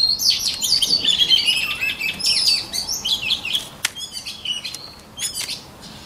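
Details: White-rumped shama voice-training song: a rich, varied stream of fast whistled phrases, slurred sweeps and sharp chips, loud at first and fading toward the end, with a few clicks.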